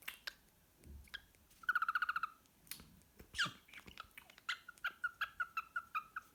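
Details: Pet cockatiel singing softly indoors before cuddling with a sock: a quick burst of evenly spaced whistled pips, a sharp swooping note, then a slower row of clear repeated whistles near the end, over faint rustling and room hiss.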